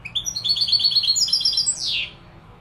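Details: European goldfinch from Morocco singing Malaga style: a fast run of repeated high tinkling notes climbing in pitch, closed by a loud downward-slurred buzzy note.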